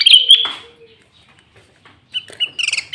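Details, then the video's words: Loud, clear Sooty-headed bulbul song recorded as a lure to draw rival bulbuls, mixed with green leafbird imitations. Two piercing whistled notes open, then a pause, then a rapid run of chattering, bubbly notes. "Pancingan Burung kutilang gacor full isian cucok ijo"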